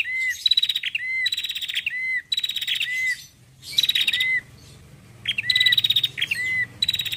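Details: Female Bar-winged prinia calling to attract birds: a run of four buzzy, rapid chattering bursts with whistled endings, a pause of about a second, then three more bursts, the last ones coming in quick succession.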